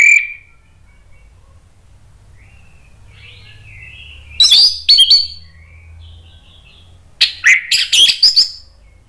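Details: Orange-headed thrush, kept bird, agitated and answering a lure recording: a faint whistle, quiet warbling, then two loud bursts of harsh, broadband rasping notes in rapid series, with a low hum beneath.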